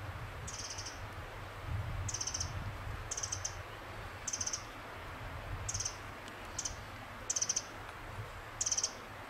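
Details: Pacific wren recorded along Fox Hollow Ridgeline Trail, Oregon: brief sharp high chattering bursts, roughly one per second, some doubled, with steady low background rumble.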